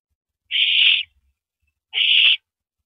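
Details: Owl passing a rabbit to its mate at the nest, April 9, 2012, at night; two drawn-out, grating hiss-screeches about half a second long, separated by a short silence.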